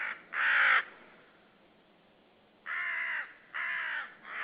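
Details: Near a white-tailed sea eagle nest in Saunja, Estonia, 18 March 2013, mid-afternoon, a hidden common raven calls loudly: one rasping caw, a long pause, then two more harsh caws in quick succession.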